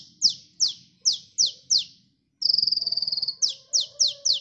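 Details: Sunbird singing actively, recorded for luring birds: five sharp high descending sweeps, a one-second steady buzzy trill, then four more falling sweeps; quiet low background hum.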